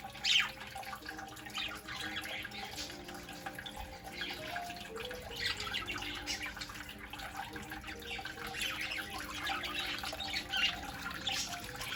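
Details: Splashing, trickling water with a faint steady hum and no clear animal calls.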